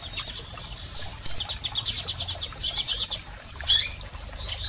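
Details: Double-collared seedeaters, females and males, giving piping calls to fire up a male; bright high chirps and quick ticking notes in several bursts, a loud sharp note near the first second, low hum underneath.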